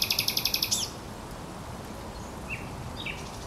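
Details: Brief burst of thrush nightingale song at the Żerań Canal on 24 April 2022: a quick series of about ten loud, clipped high notes lasting under a second, then only faint distant chirps.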